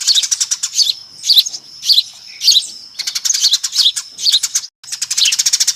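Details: Noisy flock of Eurasian tree sparrows forming a lure call. Rapid, crowded high-pitched chirping comes in clumps roughly every half second, with a short pause near the end before the chatter resumes.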